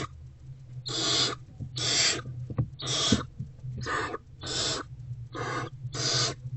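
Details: Breathy rasping screeches from a hungry barn owlet feeding on a rodent inside an owl box, afternoon of 29 February 2024; seven noisy bursts come at a steady pace, with a few faint clicks and a background hum.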